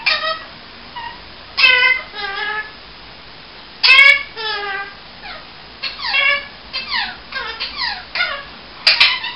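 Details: Ring-necked parakeet talking indoors: short squeaky, speech-like phrases of sliding tones, some quiet and some loud, spaced out over the recording with steady background hiss.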